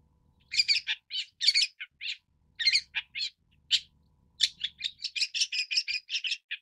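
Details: Long-tailed shrike chattering in varied scratchy phrases, then speeding up into a rapid string of clipped notes at the end.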